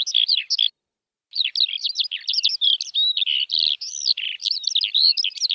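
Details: A short burst of high lark warbling, a half-second silence, then a long jumbled stream of chirps, slurs and buzzy notes that runs on continuously, with nothing else audible.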